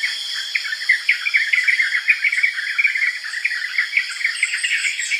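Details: Yellow-vented bulbul (Pycnonotus goiavier) calling with rapid, bubbly chirps in quick succession, repeated throughout, over a steady high-pitched insect drone.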